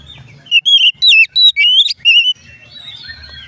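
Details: Oriental magpie-robin singing a string of clear, loud whistles, some swooping, some trilled, lasting under two seconds, then quieter background chirps; the song is meant to set other magpie-robins singing.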